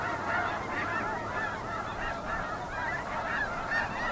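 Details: Snow geese, including white adults and blue-morph birds, calling together in a dense, continuous chorus of overlapping nasal honks and yelps.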